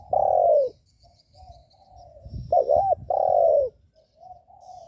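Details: Spotted dove cooing to provoke other doves: a long, falling, hollow coo, quieter notes, then a quick looped double note and another long deep coo, with faint high chirps behind.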